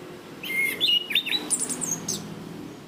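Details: Song of a caged Orange-banded thrush, the Southeast Asian forest songbird, recorded for training other birds. A quick run of clear whistles steps upward into thin, very high notes, over a low background hum.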